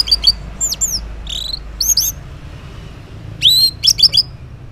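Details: Orange-headed thrush singing in the morning, used to lure silent males into replying: varied high whistled phrases, swooping notes and clipped chirps separated by short gaps.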